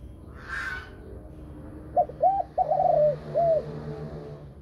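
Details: A female Thai-breed spotted dove gives a deep, hollow coo phrase of about four notes, the middle note drawn out, over a low steady hum.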